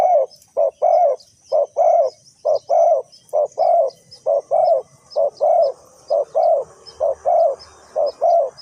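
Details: Rhythmic, continuous cooing from a Spotted dove at a decoy trapping site in Ninh Thuận: brief notes paired with longer, falling coos, repeated without a break, light insect hiss in the background.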